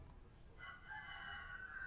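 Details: Noisy chickens outside, heard in the background during a microphone test. A rooster's drawn-out harmonic crow rises and holds for over a second behind a steady hum from the room.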